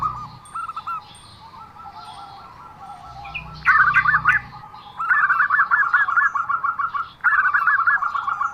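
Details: Zebra dove giving an unusual call: rapid runs of short, rolling cooing notes in a mid-pitched trill, each burst lasting one to two seconds, with brief pauses and a low hum underneath partway through.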